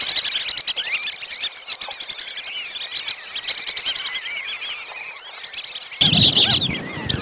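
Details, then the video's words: Lesser whistling ducks calling in a lure recording for trapping: a busy stream of thin, high whistled notes, rising and falling, many birds overlapping, with a sudden louder, noisier burst of calling near the end. "suara pikat belibis kembang"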